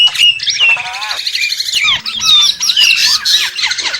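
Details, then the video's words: Nias hill myna singing a fluent mix of pure whistles, a wavering warble and gliding, rising and falling notes over a harsher, grating undertone. "the alluring sound of the Nias starling"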